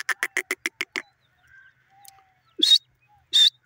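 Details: A kept francolin (teetar) gives a fast run of about seven harsh, clipped notes in one second, then two louder, grating bursts after a short pause.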